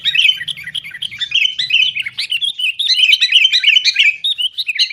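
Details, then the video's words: Noisy, fighting sooty-headed bulbul chatter used as a lure for caged bulbuls; unbroken fast chirping and bubbling notes throughout, with faint low humming in the first two seconds. "kutilang gacor TARUNG buat pancingan kutilang agar bunyi"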